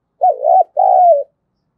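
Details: Spotted dove cooing as a lure to provoke calling, in the local cu gáy giọng thổ voice style: two low, smooth coo phrases, the first with a short rising lead-in and the second longer and slightly falling. Clean background.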